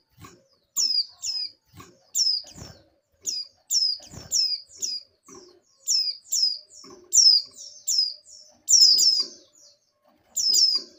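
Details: Female oriental white-eye in breeding condition calling for a male with a long run of crisp, high, down-slurred chirps, mostly in pairs, about one every second, with scattered soft low taps.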